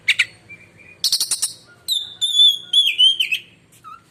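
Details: Shrill song of an oriental magpie-robin, a champion contest bird: a harsh buzzy burst followed by a long, wavering, pure whistle that slides down at the end, then a short low note.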